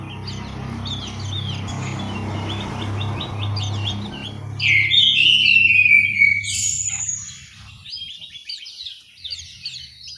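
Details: Orange-headed thrush in an aviary in Malang, East Java, Indonesia: a steady low hum and scattered chirps give way to a loud, rich warbled phrase of sliding whistles, followed by softer twittering.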